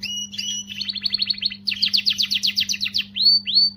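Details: Canary song meant to motivate females: a held whistle, then rapid pulsed trills about four notes a second, faster dense rolling notes, and two upward-swept whistles to finish, with a faint low hum.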